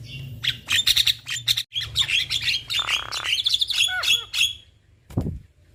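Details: Black-winged starling pair, male and female, in duet: loud rapid chattering and whistles, a harsh buzzy rasp in the middle, then falling slurred notes and a final sharp downward sweep.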